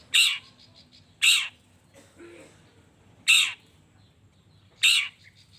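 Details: Harsh screeching notes from a long-tailed shrike, played to make other shrikes respond; four grating bursts at uneven spacing with a soft low sound between them.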